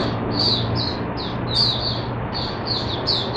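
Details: High, thin twittering from a caged Oriental white-eye opening into song, short slurred phrases roughly every half second, over faint low-pitched background hum.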